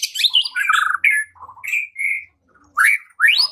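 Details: White-rumped shama song used to provoke singing and fighting: varied loud phrases of whistles, buzzy notes and rising sweeps, separated by brief pauses.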